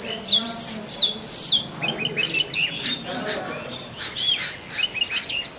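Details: Oriental magpie-robin male singing for a mate in forest: three loud, sharp downslurred whistles open, then softer, fainter, more jumbled notes follow.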